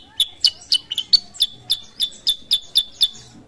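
A sooty-headed bulbul gives a quick run of about a dozen bright, high, clipped chirps, roughly four per second, against a quiet background.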